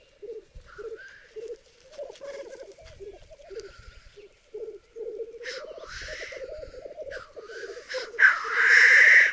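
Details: Black grouse at a lek in the middle of a raised bog in Berezinsky Biosphere Reserve: short, separate bubbling phrases build into steadier cooing, with sharp hissing sneezes and a loud close hiss at the end.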